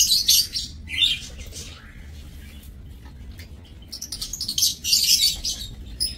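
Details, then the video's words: Lovebirds in an aviary cage kept for breeding, dated 30 May 2024. Harsh, rapid shrieking chatter opens and closes the passage, with a softer lull between. "Aviary Lovebirds"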